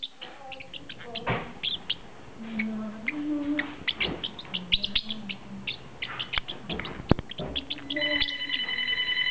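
A budgerigar chatters in quick, high chirps and squeaky warbles, with a low voice murmuring behind.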